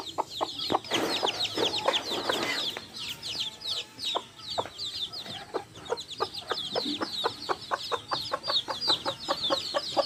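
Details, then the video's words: Backyard hens with chicks, the chicks feeding: dense high peeping from many chicks over a quick, regular series of sharp taps, about two to three per second, and a burst of broad clucking early on. "Adorable backyard hens with chicks making adorable sounds!"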